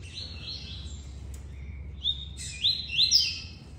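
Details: A captive Double-collared Seedeater with a long song, being trained to cut its song shorter and faster, sings a quick run of high, sweeping whistled notes ending in a louder, brighter phrase, over a low steady hum.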